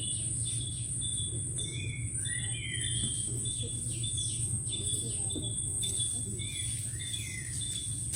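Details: Many birds singing in the Sundarbans forest, recorded from the shore near a boat. Short, scattered whistled notes and chirps over a steady low rumble and a constant high insect-like whine.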